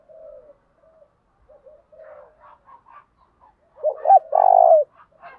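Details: Spotted dove used as a decoy to incite fighting: soft, low coos at first, then a sudden loud burst of two quick notes and a long rich coo near the end.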